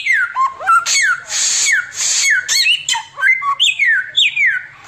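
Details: Oriental magpie-robin singing 'tembakan' phrases without pause, recorded as tutor material for training birds; long harsh hissing rasps interleaved with slurred downward whistles and a few rising notes.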